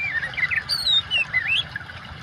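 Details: Oriental magpie-robin song mixed with water noise for training birds: fast varied whistled phrases with slurred wavering notes, falling and rising, over a continuous watery hiss.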